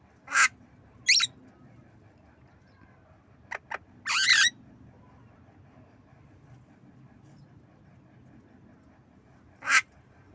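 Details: Nodding Javan myna learning to cough: scattered short harsh rasps, two quick clicks and a longer scratchy burst near the middle, then a long pause before a final rough note.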